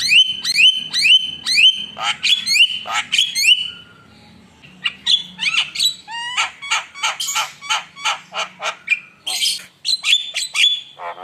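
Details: Lure recording of a constantly singing Javan myna to provoke rivals: repeated bright whistled upslurs with buzzy overtones, a short pause, then a fast series of clipped harsh notes and chattering rasps.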